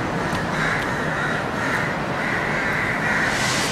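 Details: A dense, continuous din of many House Crows (Corvus splendens protegatus) cawing together at a dusk roost in Colombo, Sri Lanka, on 28 February 2014: harsh overlapping calls with no pauses, over a steady traffic rumble.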